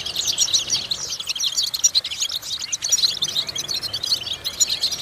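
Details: European goldfinch song for vocal exercises to stimulate goldfinches; sprightly high-pitched twitters, chirps and short trills delivered in a lively, unbroken chatter.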